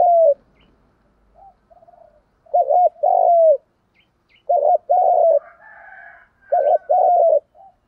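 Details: A series of spotted dove kích bổi coos, each a stuttering double note then a sustained purring coo, given in quick succession with faint soft notes and a higher chirpy call in between.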